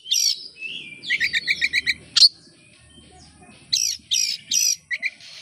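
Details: Oriental magpie-robin singing to lure other birds into song: varied whistles, a quick series of short clicky notes, a sharp sweep, then harsh buzzy bursts, over a faint low hum.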